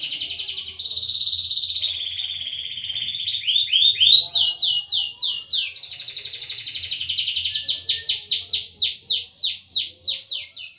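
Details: Prolific canary song for prompting silent canaries to sing. Buzzy sustained trills give way to rhythmic chains of downward-sweeping notes repeated several times a second.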